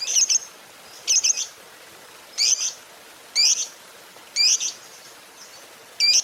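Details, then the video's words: Lovebird of the fighter type giving separate short, sharp, high squeaky calls, each a brief double or triple note, spaced about a second apart over six seconds. "Pancingan Suara Lovebird Gacor Fighter"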